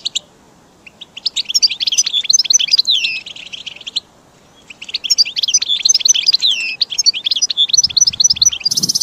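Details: Caged goldfinch song used for training; rapid twittering, buzzy phrases high in pitch, with mixed trills and slurred notes, two bursts separated by a brief pause, a faint low rumble near the end.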